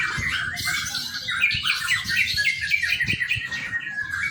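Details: Young white-rumped shama, good as a lure for training, giving rapid, twittering chirps and short warbled phrases, high and busy, with faint low rumbling below.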